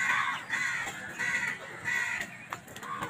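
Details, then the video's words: Crows fighting over food: a steady run of rough, nasal caws, about one every half second, overlapping and jostling, over a constant hiss of background noise. "Beautiful crow sounds"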